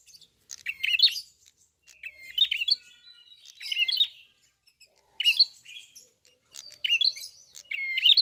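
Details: Red-fronted prinia singing steadily with full, open-beaked song: bursts of high, sharp chirps and short trills, some ending in a thin flat whistle, repeated roughly every one to two seconds with brief pauses; no other sounds.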